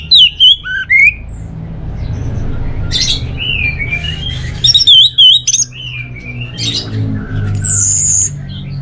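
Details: Orange-headed thrush delivering a varied song of short whistled notes and slurs, some loud and clipped, with pauses between phrases and a low background hum.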